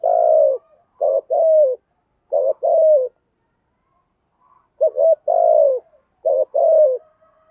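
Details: Spotted dove in 'thúc gù' cooing style for rousing decoy birds: rhythmic husky low coos in pairs, short note then longer falling note, repeated about four times with a pause midway.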